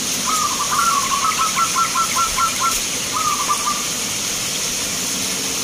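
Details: Zebra dove song at a local dove singing contest in Grabag, Magelang, Indonesia: a rapid series of low, bubbling, trilled coo notes, then a shorter second rolling phrase after a pause, over steady background hiss.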